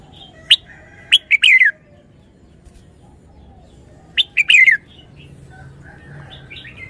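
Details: Red-whiskered bulbul singing wild-style song: two loud, bright phrases about three seconds apart, each a few sharp clicks leading into a bubbling, downward-sliding warble, quiet between.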